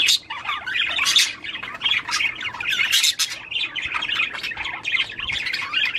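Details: Budgerigar song meant to motivate the female to mate: rapid, squawky chattering with clicks and harsh chirps, almost unbroken over six seconds.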